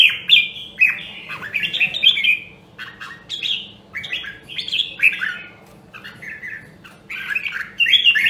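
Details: Red-whiskered bulbul, Nam Đông, Huế line, in voice-training song: repeated short warbled phrases, sweet and slurred, coming in steady bursts with brief gaps throughout, against a faint steady hum.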